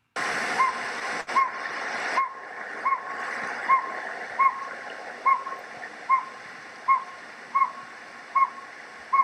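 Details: Two Northern Pygmy-Owls on Mount Graham, Pinaleño Mountains, southern Arizona, near the interior form's southern range edge, give short hollow notes at different pitches about every second (the higher one perhaps female), over a rushing hiss after a noisy start.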